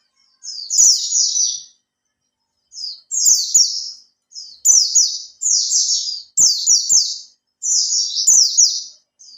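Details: Captive Oriental white-eye, in care three months, singing to trigger other white-eyes: six short, very high twittering bursts of rapid falling notes, each under a second, with brief silences and faint ticks.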